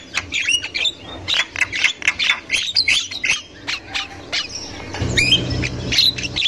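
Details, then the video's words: Javan myna in the wild, described as highly vocal, with female chatter: a dense run of harsh, squawky and whistled notes between mid and high pitch, tightly packed and varied, with a low rumbling hum joining in the last seconds. "Burung Jalak Kebo Super Gacor Untuk Pancingan Jalak Kebo Muda"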